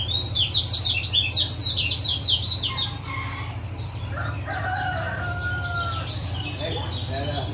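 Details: Caged male lemon-bellied white-eye from Lombok, calls played to prompt a silent male to sing: a burst of high, rapid, downslurred chirps for about three seconds, then fainter chirps and a low hum.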